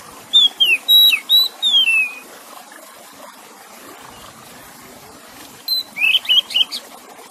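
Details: Oriental magpie-robin with running water: a fast run of sharp whistles and downslurs, a pause of several seconds with only water, then a scratchy twittering burst.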